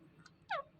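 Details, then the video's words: Green parrot talking: a single short, loud syllable with a tonal, falling pitch, following a faint softer note, with low background hum. "Green Parrot Talking"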